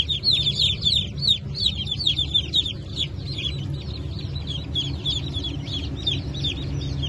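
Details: Many Brahma chickens from a fresh hatch dated 1 May 2024, kept with Wyandotte and other breeds. High, thin peeps overlap continuously in a dense chorus, over a steady low mechanical hum.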